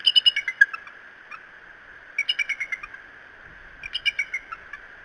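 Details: Bald eagles of Decorah at their nest giving a false alarm on 20 February 2017: three bursts of rapid, high, piping chatter, each of several sharp notes that fall slightly in pitch, spaced about two seconds apart.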